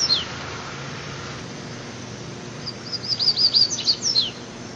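A Double-collared Seedeater sings a quick run of high, sweeping whistled notes in the wild 'mateiro' style, after a single opening chip, over faint background hiss.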